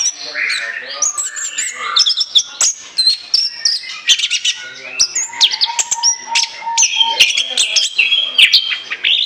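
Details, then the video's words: Orange-headed thrush delivering loud, nonstop chattering song used as a lure: varied whistles, buzzy trills and rapid clicks, with a lower steady whistle repeated several times midway. "ANIS KEMBANG NGOCEH NGEPLOOONG"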